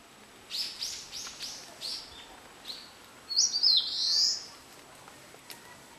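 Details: Eastern crowned warbler singing: a run of about six quick, high, slurred notes, then a loud, buzzy, wavering phrase lasting about a second, with faint background hiss.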